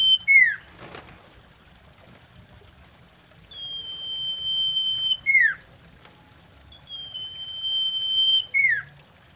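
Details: Female common iora, mating song used as a lure: repeated phrases of a long, level, high whistle ending in a sharp downward slur, with short soft chips between phrases and an early rustling sound.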